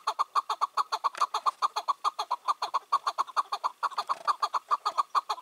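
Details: Wild male chukar partridge, about five or six years old, caught and released two years earlier, heard one evening on 4 June 2023. It gives a rapid, steady string of clucking chuk notes, over two per second, with no other sounds.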